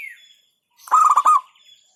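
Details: Single 'hentakan' phrase from a local zebra dove: a loud, half-second run of clipped, rolling coos. A soft falling whistle comes just before it.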